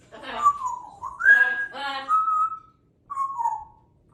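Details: Captive African grey parrot whistling indoors: a series of harmonic, speech-like whistled phrases, some falling, one rising then held, with a short pause before a final descending whistle.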